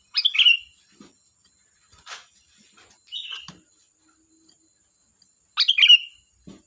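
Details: ['Sooty-headed bulbul song in three short, bright, bubbly whistled phrases spaced a few seconds apart, with soft clicks between and a faint constant high tone in the background.']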